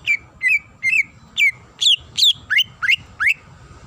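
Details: Female greater green leafbird calling the male, giving varied whistled notes roughly three per second, some slurred downward and later ones sweeping sharply upward, with soft low background noise.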